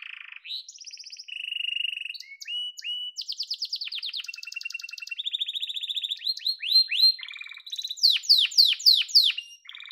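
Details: Yellow domestic canary singing loudly, stringing together varied trills, whistled slurs and buzzy rolls, ending in a series of sharp descending sweeps repeated about three times a second.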